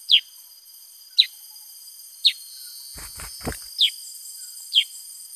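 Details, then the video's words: Black-headed bulbul repeating sharp falling chips about once a second; a brief rustling thump interrupts midway, and a steady high hum runs throughout. "Burung KUTILANG SUTRA GACOR Bongkar Isian ( Pycnonotus Atriceps )"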